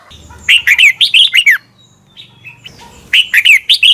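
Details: Red-whiskered bulbul song from Thailand, played each morning so young birds learn to copy it: two bursts of quick, bright, warbling notes that rise and fall, separated by a quieter pause with faint soft notes.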